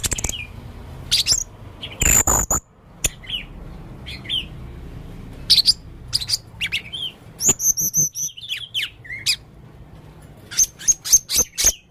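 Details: Unusual calls from a lively male Blue-crowned hanging parrot: scattered sharp, very high ticks and shrill bursts mixed with short whistled slurs, a double-toned piercing note near the middle, and a rapid series of high ticks at the close.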